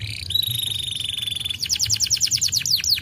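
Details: Canary singing to prompt a silent bird: a long, steady, high pure whistle held for over a second, breaking into a rapid trill of short down-slurred notes at roughly six per second.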